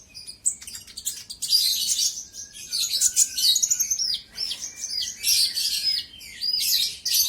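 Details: Olive-backed sunbird singing vigorously, used to provoke a rival: continuous, rapid high twittering with short downslurred whistles and buzzy bursts, one after another without real pauses.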